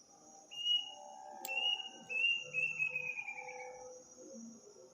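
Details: Unidentified bird heard on the night before Eid in a village, its eerie call often given around midnight: a single high whistle, then a run of level whistled notes ending in a quick, slightly falling trill, over a steady high insect drone.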